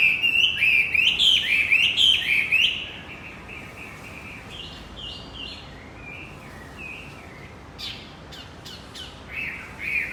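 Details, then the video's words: Javan white-eye song used to coax a male that has stopped singing. A loud burst of rapid, twittering, up-and-down notes for the first few seconds, then only faint scattered chirps against a soft background hiss. "Pancingan kicau wambi macet"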